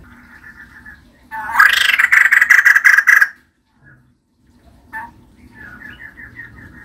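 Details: Female white-crested laughingthrush in lively voice, a loud harsh burst of rapid chattering notes lasting about two seconds, with softer repeated chatter before and after.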